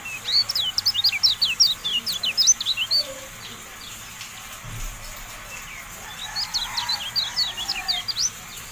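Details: Javan white-eye training song for caged birds: bursts of fast, high, sharp chirps and twitters that pause midway and then resume in a second rapid flurry, over a quiet low background hum.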